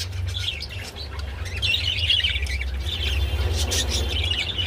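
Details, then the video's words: Mating budgerigars give a softer twittering chatter of short warbled phrases and chirps, partly masked by a strong low-pitched hum. "Budgie Mating and Sounds II Birds Mating Call"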